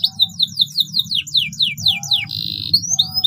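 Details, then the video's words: Canary in long, loud continuous song, used to stimulate stalled canaries into singing: a rapid series of high, falling whistled slurs about four per second, then a steady buzzy note and rising sweeps, over a low steady hum. "KENARI GACOR PANJANG PANCINGAN KENARI MACET"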